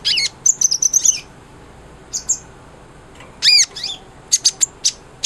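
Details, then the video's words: Energetic song of a sunbird (kolibri ninja), used to tutor a white-rumped shama: brief clusters of very high, thin slurred chirps separated by pauses, ending with isolated sharp ticks. "SUARA BURUNG KOLIBRI NINJA GACOR"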